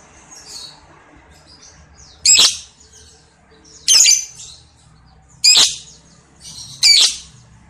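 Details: Lovebird on a lure recording, giving harsh, buzzy squawks about every one and a half seconds, with softer high chirps tucked between them.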